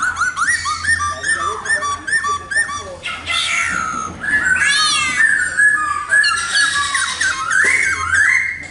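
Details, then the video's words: Laughingthrush (khướu mun) song: quick series of upward-flicking whistles, then dense chattering and squealing bursts, ending in rising whistled phrases, with a low hum behind. "tiếng chim khướu mun hót đỉnh cao"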